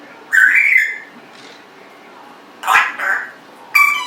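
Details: Congo African grey parrot, aged 1.5 years, kept indoors, utters a loud whistled squawk, then a harsher call with a trailing note, and a final sharp squawk.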